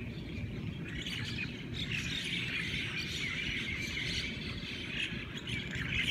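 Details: Morning chorus of Hawaiian birds with overlapping squeaky whistles and chirps, a busy layered twitter throughout, with constant low rumbling noise underneath.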